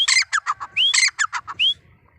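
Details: Grey francolin, described as wild Deccani francolin, with male and female mentioned: two loud phrases, each a sharp rising whistled note followed by a run of harsh, squawky, descending notes, then quiet.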